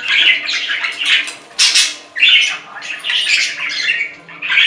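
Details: Budgerigar chattering almost nonstop, grating squawks and high chirps in quick uneven pulses, with a sudden sharp burst near the middle.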